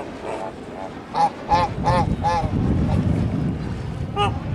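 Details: Kholmogory geese kept on a farm, recorded 1 March 2019: a few spaced nasal honks with rich harmonics, several rising slightly, against a loud low rumbling background noise.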